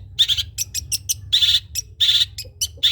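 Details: Long-tailed shrike of the trotol style, a tutor for other birds to copy: harsh grating rasps broken by quick, sharp chattering notes, delivered loudly and densely.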